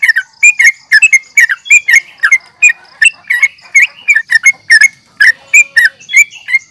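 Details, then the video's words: Yellow-vented bulbul in an aggressive fighting call, recorded to provoke rivals: harsh, twisting chirps in irregular clusters, about three a second, with a faint low tone near the end. "trucukan gacor NGGARUDA UPLIK TARUNG"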